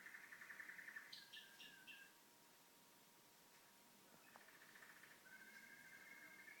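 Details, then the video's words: A pet canary indoors, while the TV is on, sings fast rolling trills with a few higher chirps, pauses for two seconds, then resumes trilling over a faint steady hum. "Canary making beautiful sounds"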